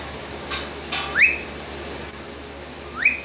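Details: Cockatiel in a happy mood. It makes two upward-gliding whistles that end on a sustained high note, with brief soft rustles and a click between them.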